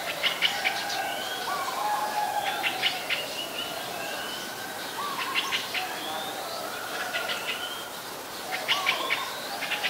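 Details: Streak-eared Bulbul, a very common resident, recorded 29 February 2020 in Ubon Ratchathani, Thailand, gives bursts of sharp, squeaky chirps in clusters every few seconds, with short lower whistled notes and other birds faintly behind.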